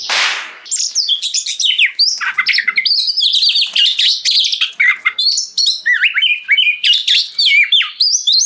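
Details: Kacer, or oriental magpie-robin, singing loudly in the ngeplong gacor manner to trigger song in other kacer; opens with a rough noisy burst, then varied whistled notes and repeated rising slurs follow in rapid succession.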